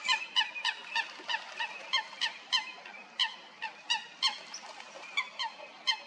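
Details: Coots fighting at Stodmarsh, Kent, UK: clear, loud, short, explosive nasal notes repeated roughly three times a second in an uneven rhythm, with a faint steady high hiss behind.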